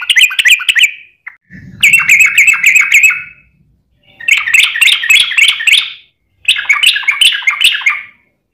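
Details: Sooty-headed bulbul singing in a long rapid-fire style, used to provoke other bulbuls into answering. Four bursts of bubbly, chattering notes about a second long each, separated by short pauses. A brief low rumble sounds under the second burst.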